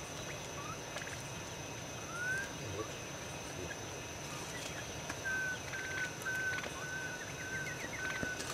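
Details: Dark-backed wood quail at Paz de las Aves near Mindo, Ecuador, giving soft, mellow hooted notes, one early and then a rhythmic run of about two per second, over a steady hiss of forest background.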